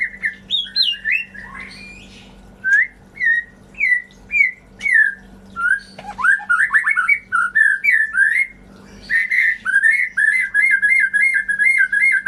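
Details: Lure song of a white-rumped shama, meant to rouse birds gone silent: varied loud whistled phrases, slurred upsweeps and chattering bursts, ending in a rapid run of repeated notes, with a constant low hum underneath.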